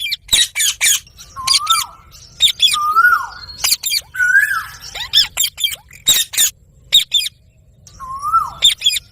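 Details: Parrot with a soft voice mixing short broadband squawks with lower, bent whistled notes that rise then fall, repeated at irregular intervals.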